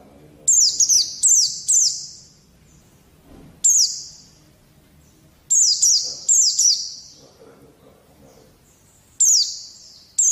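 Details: White-eye song played to coax young birds into singing: rapid runs of high, thin, descending whistles, three to four notes at a time, repeated in clusters with short pauses and faint low rustling underneath.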